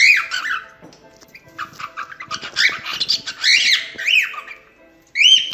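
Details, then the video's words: Cockatiel song meant for teaching a cockatiel to sing: arching whistled phrases and softer chatter, a quiet gap, then a fresh loud whistled burst at the end. "Canto de Calopsita 🐦 Ensinando Calopsita Cantar"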